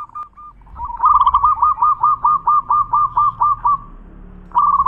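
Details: Local zebra dove, a champion singer in full voice, giving a steady series of about a dozen low, rolling coos, each with a quick stutter, repeated roughly twice a second, then a brief pause and another rolling coo.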